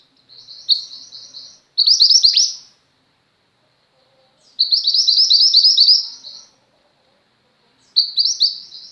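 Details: Female white-eye, mantenan gunung type, in full song as tutor material for pet white-eyes: high, bright chattering warbles in phrases of one to two seconds, one swooping downward, separated by silent pauses of about two seconds.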